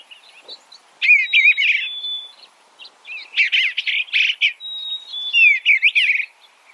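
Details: Eastern bluebird, official state bird of Missouri and New York, giving soft warbled phrases in bursts with brief pure whistles, phrases repeated several times over a few seconds with short pauses between.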